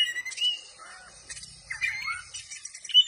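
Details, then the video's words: Oriental magpie-robin singing with tail spread: loud whistled notes, slurred rising and falling phrases and scratchy chatter between sharper clear whistles, with a faint low hum underneath. "kacer gacor dor ,kacer gacor buka ekor"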